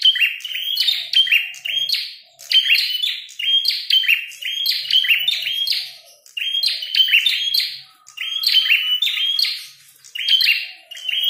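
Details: Fighting red-headed prinia singing energetically: rapid bursts of sharp chirps and rattling notes in phrases of two or three seconds, each followed by a short pause, kept up steadily.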